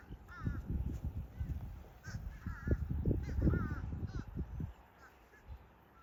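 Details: Calling limpkin from southwest Florida: a rapid series of brief, quavering, bending notes, loudest in the first four seconds and then fading, set against steady deep rumbling background noise.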